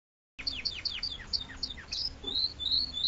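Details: Spanish Timbrado canary singing in the clásico style: a run of clear descending whistled notes, about three per second, then higher sweeps and short rattling trills, after a brief silent start.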